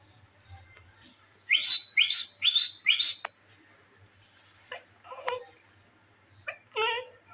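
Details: Pet Indian green ringneck parakeet speaking Urdu: four harsh, rasping bursts in quick succession, then a pause and several short, voice-like syllables with stacked tones, ending in a longer wavering utterance; a low hum runs underneath.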